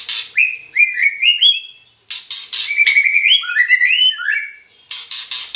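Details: White-rumped shama singing: clear whistled notes in stepped, sliding phrases that dip and climb, broken by two short pauses, with harsh buzzy bursts opening, interrupting and closing the song; no other sounds.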